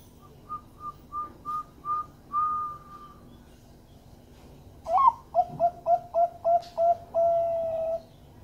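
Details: Bangkok-type zebra dove giving a melodious lure song to make other doves sing. Five short higher notes lead into a held tone, a pause, then a loud rising note, a run of seven rhythmic clipped coos and a final long coo.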